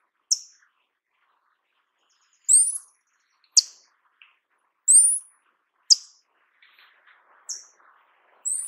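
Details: Paradise tanager in Amazonian Brazil: short, very high sharp notes and thin upslurred whistles near the top of the range, given singly at irregular gaps of one to two seconds, with faint chatter of other birds between.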